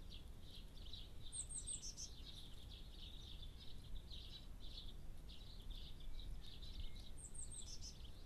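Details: Great spotted woodpecker, male and female, in Germany, giving short, sharp kik notes at an uneven pace under a steady low wind rumble; a small bird adds thin high chirps twice.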